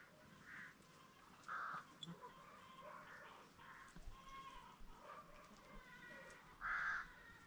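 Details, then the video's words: Farm peafowl, green and Spalding birds: loud brassy calls ring out early, again near two seconds and once more near the end, with softer murmuring calls and a little human speech between. "Peacoks farm, green & spalding"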